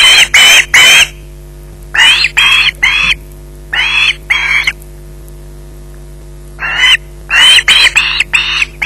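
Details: Osprey at its Loch Garten nest, in possession of a fish, giving loud rasping screeches in short clusters of two or three separated by pauses, a longer silence, then a faster volley.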